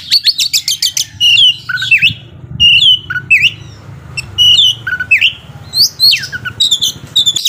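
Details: Oriental magpie-robin song used to provoke a slow-tempered rival: opening rattle series followed by spaced, sharply descending whistled slurs and rising hooks, roughly every second, over faint low background hum.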